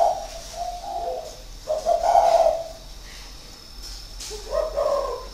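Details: Caged spotted dove in Ba Vi, Hanoi, Vietnam, an experienced decoy bird kept six years in its cage, recorded in 2019, giving low hooting coo phrases at about 0.5, 2.3 and 5 seconds, with faint background hiss.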